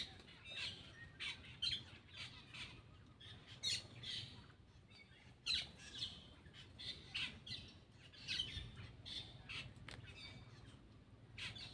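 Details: Black-winged myna while eating gives repeated sharp squawks and rasping chirps roughly every half second to second, in a steady chattering stream.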